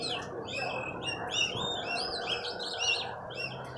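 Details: Oriental magpie-robin, bought recently and being trained, in full continuous song. Bright arching whistles and quick chirps tumble together without pause, with constant low rumbling noise beneath.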